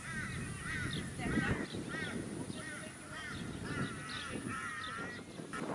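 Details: On a suburban artificial lake, Sunshine Coast, Queensland, February 2018, an Australian wood duck gives a steady series of short, arched, nasal calls, each with stacked overtones, about two per second, over wind and distant traffic-like rumble.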